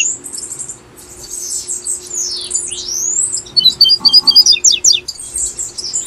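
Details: Double-collared seedeater singing tui tui style, Brazil, used to encourage caged birds: drawn-out buzzy whistles sweeping down and up, followed by a rapid series of sharp staccato chips, low hum throughout.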